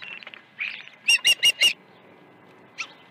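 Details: Osprey recorded at Dunrovin Ranch on the morning of 21 August 2019: soft high chirps lead into four loud, clipped whistled notes close together, then one more faint note after a pause.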